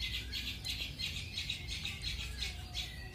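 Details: Long-tailed shrike used as training material for 'roll speed' and 'roll tembak' song styles: rapid harsh buzzy notes repeated about three times a second, steady and scratchy, over low background rumble.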